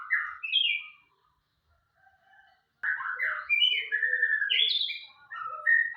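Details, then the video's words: White-rumped shama in full vigorous song: bright, varied whistled phrases sliding up and down. A short burst is followed by a pause of over a second, then a rich continuous run of warbled and fluty notes. "Gacor murai"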